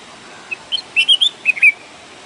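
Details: Red-whiskered bulbul song, naturally recorded: one lively phrase of about seven quick, liquid whistled notes that rise and dip, lasting about a second, with a soft hiss behind.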